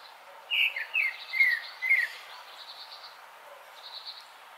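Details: Grey-backed thrush (Turdus hortulorum), song.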